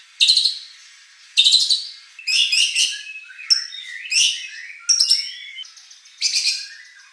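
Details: White-rumped shama competition song meant to make a rival sing back: sharp harsh bursts, then tumbling scratchy, buzzy phrases and squeaky notes in quick succession.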